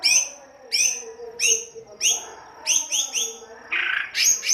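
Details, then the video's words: White-rumped shama in the harsh 'kasar' style, used to coax singing: sharp high descending chirps repeated roughly every three-quarters of a second, ending in a raspy burst. "Pancingan kicau murai batu kasar"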